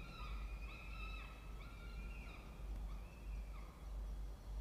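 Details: Nest-box peregrine falcons in a water tower, Charles Sturt University, Orange, New South Wales, Australia, 16 October 2024 at 07:21. Fainter, sustained harmonic wails with brief dips and rises, repeated across the clip against a low rumbling hum.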